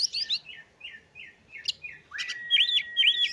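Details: Oriental magpie-robin song: varied whistled phrases, a few short repeated slurred notes, then a long steady whistle under sharp chirping flourishes, clear with little background.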